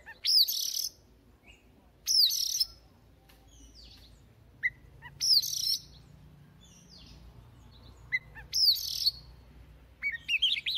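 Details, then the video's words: Newly caught wild Oriental magpie-robin singing in the morning to warm up its voice: loud whistled phrases with sweeping, descending high notes, repeated roughly every three seconds, with short lower chirps between bursts and a quiet low background hum. "Choè than bổi lên hót luyện giọng lên lửa mỗi sáng"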